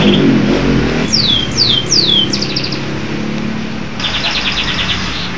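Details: Local canary singing in a lively, chatty style: three quick downward-sweeping whistles, a short pause, then a fast buzzy trill, all over a steady rumbling background like passing traffic.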